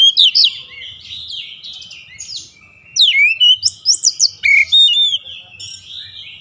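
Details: Daily training song of an oriental magpie-robin aimed at a long rolling delivery: rapid sweeping whistles and scratchy high trills, a short lull, then a dense run of loud sliding notes.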